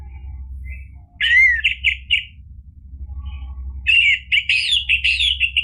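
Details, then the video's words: Orange-headed thrush singing energetically, used as a lure to provoke another bird into answering and singing; two bursts of loud, varied, high whistled and warbled phrases separated by a quiet pause, over a low steady hum. "ANIS MERAH GACOR memancing EMOSI jadi BUNYI NYAUT ikut NGEPLONG ampuh buat terapi macet bunyi"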